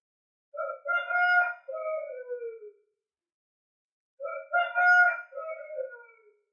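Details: A rooster crows twice, each a loud, harmonic cock-a-doodle-doo about two seconds long that ends in a drawn-out falling note. The crows are separated by a short silence.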